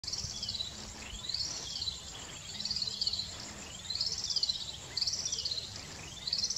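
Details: Yellow-bellied waxbill feeding at Mt. Kenya/Naro Moru, Kenya, giving thin, high, arched notes that rise and fall, repeated roughly once a second, over a steady insect hiss and low rumble.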